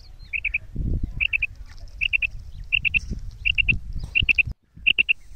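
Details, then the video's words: Female quail giving a kirak and sirak mix call, sharp three-note chirp groups repeated about every three-quarters of a second, bright and evenly spaced, with low rustling and a brief thud in the background. "Beautiful female quail call_kirak& sirak mix voice"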